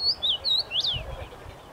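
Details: Common rosefinch singing in a tree, 23 May 2021; a single clean phrase of four slurred whistles, the first three wavering and the last swooping up then down, with a quiet background.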